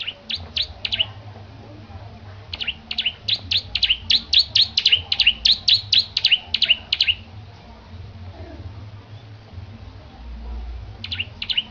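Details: Bar-winged prinia kept in a cage and trained for competition sings bursts of fast, high, chattering chirps: a short opening run, a long string of about twenty rapid notes, silence, then a brief final burst.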